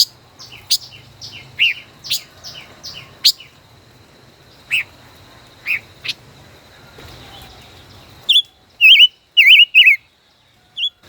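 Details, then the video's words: Caged five-colored bird, a decoy kept over a year, in a song duel: sharp high chips every half second, then after a pause bright warbled, wavering whistled phrases. "Chim ngũ sắc hót đấu ,chim mồi hơn 1 năm lồng hót đấu căng đét luôn"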